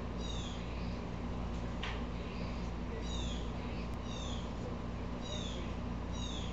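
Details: Blue jay, upset and agitating squirrels, calls with a string of rasping downward notes about once a second, interrupted by a couple of sharp clicks, over a steady hum.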